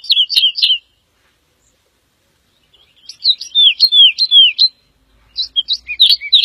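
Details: Woodlark (Lullula arborea) singing: three quick double notes, a long pause, then a series of clear arched whistled notes, each sliding down, followed by more scattered sharp notes; otherwise quiet.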